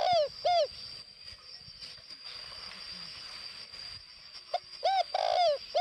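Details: Spotted dove from Northwest Vietnam giving decoy cooing: two low, arched, mellow coos open the clip, then a quiet stretch, then three more coos near the end, all over a steady high-pitched whine.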